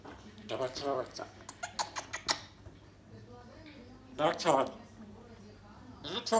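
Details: Female African grey parrot kept indoors as a pet, talking: a run of short, clipped speech-like syllables with a few sharp clicks in the first two seconds, a pause, then a louder voiced phrase near the end over a low room hum.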